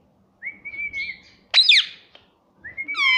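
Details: Pet green rose-ringed parakeet giving a level whistled note, then a loud harsh squawk, then another whistle rising into a strong harmonic, voice-like tone.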